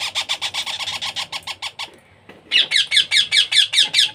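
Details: Baby parrot being hand-fed, pumping out steady rhythmic raspy squawks about two per second, a brief lull with faint rustling, then louder harsh calls resume.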